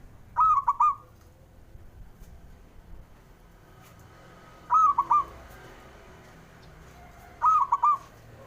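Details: Three short phrases from a male zebra dove, each a tight burst of three or four mellow, stuttering coo notes, spaced roughly three to four seconds apart. The recording is meant to get lazy doves singing.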